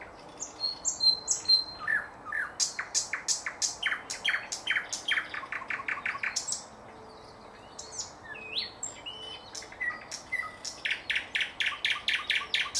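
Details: Thrush nightingale in full song, recorded in 2024: long series of loud, evenly repeated knocking notes speeding into rapid trills, a brief pause, then further chirps and another fast run of repeated strokes.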